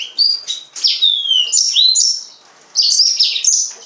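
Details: Yellow-fronted canary singing a lively run of high whistled and slurred notes, some sliding downward, others sharp and rising, in quick succession with one short pause.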